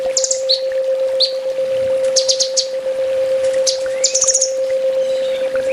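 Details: Sunbird master song used to train caged birds, 'full tembak' style: scattered high, thin trills and sharp downslurred chirps, some in quick bursts, over a steady low electrical hum.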